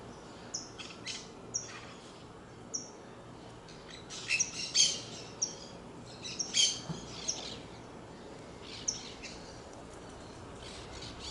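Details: Saffron finch song: scattered thin high chirps at first, then a louder cluster of squeaky, chattering notes in the middle, fading back to sparse chips over steady background noise.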